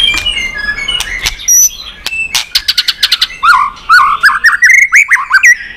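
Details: White-rumped shama in heated competition song with tail-flicking: soft high notes, then a burst of sharp clicks, followed by rapid rising and falling whistled phrases.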